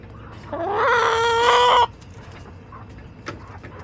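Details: Backyard chicken, July 18, 2024, a loud harmonic rising crow lasting over a second and ending abruptly, followed by a few faint clucks from other hens in a quiet yard.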